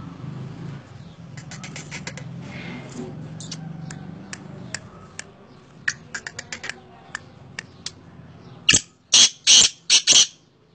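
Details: Scattered soft clicks and light rustling, then near the end a black francolin bursts into its harsh call of five loud grating notes spread over about two seconds.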